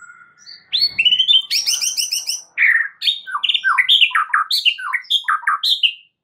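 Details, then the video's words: Rich, varied white-rumped shama song played as masteran for stressed birds: a rising whistle, then rapid ringing rattles, followed by a long run of quick, looping, slurred whistled notes that dip and climb. "MASTERAN untuk Murai Batu Stress"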